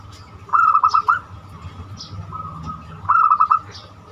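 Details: Zebra dove singing in the banyumili style, kept to draw other doves into song: two rippling phrases of rapid, even cooing pulses about two and a half seconds apart, over a steady high hum and faint chirps.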